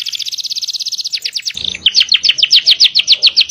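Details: Loud canary song, long-breathed and filled with rapid-fire notes: a fast buzzy high trill shifts into evenly repeated sharp chipping notes, about four per second.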